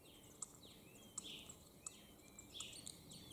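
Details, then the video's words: In the morning, two male common starlings sit on a roof singing in competition, mimicking other animals such as chickens and frogs: sharp clicks about every half second, high thin whistles and quick falling sweeps, fairly quiet over steady hiss. "Starling Bird Imitate other Animals Sound"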